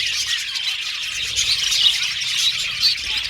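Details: Group of budgerigars chirping busily, quick high twitters and thin squeaky notes overlapping in a steady stream, with a few slightly louder chirps standing out near the middle.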